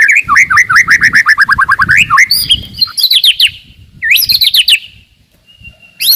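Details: White-rumped shama song for provoking rivals and training young birds to fight: quick series of looping whistled notes, then higher chattering bursts, a pause and a final sharp note.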